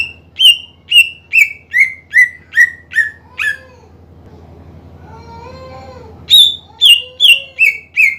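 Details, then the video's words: Greater green leafbird singing vigorously to provoke rivals: a series of loud, downward-sliding whistles repeated about every 0.4 seconds, then a pause with soft, low warbling, before the same series of falling whistles resumes. "PANCINGAN CUCAK IJO GACOR MEMANCING EMOSI LAWAN AGAR RAJIN BUNYI"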